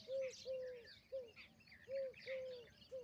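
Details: Peahen, an Indian peafowl, giving short, clear, slightly falling notes in quick pairs and singles, against a background of high chirps from other small birds.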